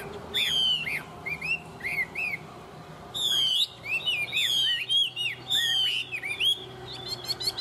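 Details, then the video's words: Chinese hwamei, a tame bird singing well, pours out varied whistled phrases: slurred curving notes, fast rattling trills and repeated sweet up-and-down whistles in energetic bursts, with quiet low hum behind. "Họa mi thuần hót tốt"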